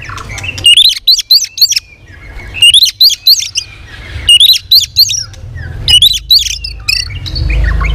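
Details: White-rumped shama, a trained cage bird, sings a competitive song with tail flicking and varied voices. Short bursts of fast rising, swept whistles come in phrases of about a second, separated by brief pauses.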